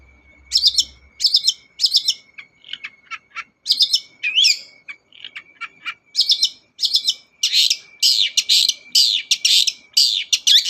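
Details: Long-tailed shrike singing energetically, used as a lure to prompt a silent shrike to sing: rapid bursts of harsh, scratchy chattering notes in irregular clusters, growing denser toward the end, over a faint steady electronic tone.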